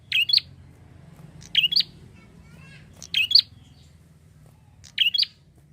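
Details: A prinia chirping steadily as a lure for other birds: four sharp, high, flicking double-note bursts about every one and a half seconds, with a faint low hum throughout.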